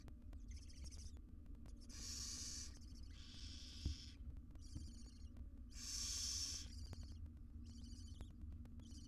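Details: Barn owl mother grooming small chicks in a wild research nest box in Israel; uneven hissing bursts, two of them louder and fuller, mixed with faint chittering and a single knock.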